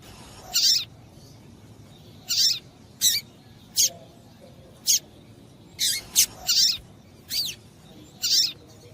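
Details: Female double-collared seedeater calling to stimulate a male to sing: bright high-pitched chip notes, some doubled, spaced roughly a second apart over a soft steady background hiss.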